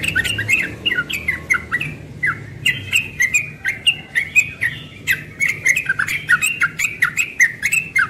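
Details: Rapid 'ropel' morning song from a young yellow-vented bulbul: nearly continuous run of bright, bubbling whistled notes that rise and drop, with repeated sharp clicks throughout.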